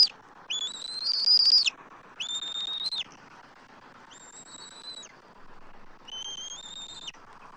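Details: Nesting adult eagles in Southwest Florida on 12 March 2024 call while an immature eagle circles their nest tree; four drawn-out, flat, high whistles about a second long, spaced roughly two seconds apart and fading in loudness.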